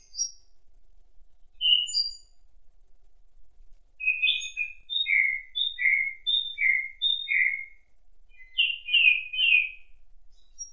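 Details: A thrush in an autumn forest sings clear, high whistled phrases, repeating one short note four times in a steady run before a burst of fuller, warbling notes. The background is quiet.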